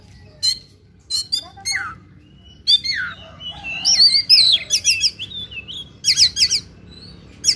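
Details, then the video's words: Oriental magpie-robin, a fighting-style singer, delivers loud bursts of varied song: sharp high chirps, downslurred whistles and rapid rattling phrases with brief pauses between, stacked high notes dominating over faint low background hum. "KACER TARUNG NGOBRA FULL ISIAN"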